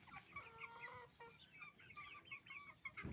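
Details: Roosters and hens on a chicken farm, making noise as they eat rice. Close, drawn-out clucks and nasal squawks from several birds overlap without pause, and a short thump comes at the end.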